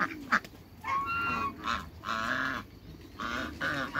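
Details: African geese, a pair kept in a backyard with other waterbirds, give a few spaced, nasal honks with rich harmonics between quieter gaps; a low background hum runs throughout.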